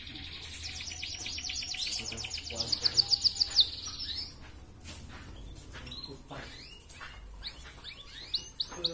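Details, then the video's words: Red canary song, a master recording meant to raise breeding drive so hens breed quickly: a rapid high trill of sharp notes for about a second among scattered chirps and clicks, with other faint high notes afterward. "Masteran Burung Kenari Merah Gacor Ngerek"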